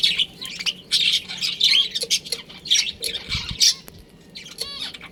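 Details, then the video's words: Budgerigar colony with a breeding pair squawking loudly, harsh grating notes mixed with short warbled chirps in quick succession, a few soft thuds underneath. "Adorable Budgies Chirping Sounds"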